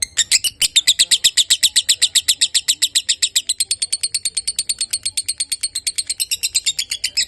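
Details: Lovebird in long-duration singing: a rapid, regular stream of high, squeaky chirps, about six a second, slightly softening toward the end.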